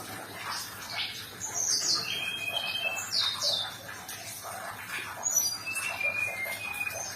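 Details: Sumatran leafbird song, played as therapy to get a stressed or silent caged bird singing again. Quick varied high whistles, short downslurred sweeps and sustained thin tones in loose bursts over a steady background hiss.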